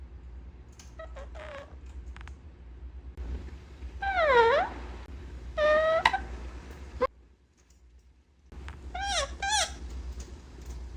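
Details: A pet male Indian ringneck parakeet talking indoors, phrases like "What you doing?" and "You're so cute": three main bursts of nasal, wavering, voice-like phrases sweeping up and down, softer snatches between, over a low hum.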